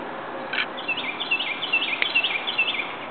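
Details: Rose-breasted Grosbeak at Ellicott City, Maryland, on May 5, 2011, sings a sweet, robin-like warble of quick, sliding, rising and falling notes lasting about two seconds, over a steady background hiss.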